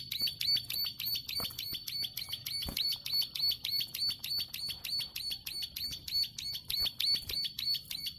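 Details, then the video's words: Plain prinia singing a long clicking song: sharp high clicks repeated about three times a second, steady and unbroken throughout, with a few faint low knocks in the background. "Ciblek sawah gacor ngeklik panjang"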